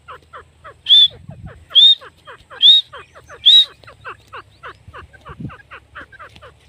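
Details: Female grey francolin calling: four loud, high, rising whistled notes, one roughly every 0.9 seconds, over a dense background chorus of rapid, evenly repeated short clicking calls.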